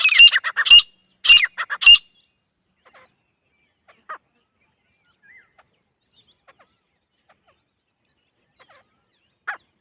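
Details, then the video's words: Female grey francolin (grey partridge) gives a quick run of five or six harsh, high, squawky notes in the first two seconds, then near silence with a few faint chips. "Female Grey Francolin Sound | The Sound of Partridge Bird | Grey Teetar ki Awaz | Gora Teetar Sound"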